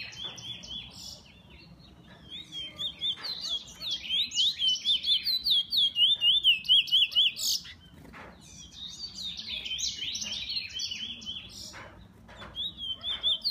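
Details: Kept bullfinch singing: a bright chattering phrase of quick zigzag notes, then a run of rapid even trills repeated about twice a second, with sharp clicks between phrases.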